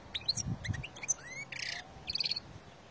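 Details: Wild Algerian European goldfinch singing in 2020: quick high twittering notes and short rising whistles, broken by two brief buzzy, rasping bursts, over faint low background rumble.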